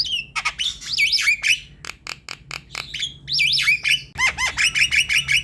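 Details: Javan myna song meant to prompt a quiet, lazy myna into singing: rising and falling squeaky whistles mixed with harsh clicks and chattering notes, with a low hum underneath.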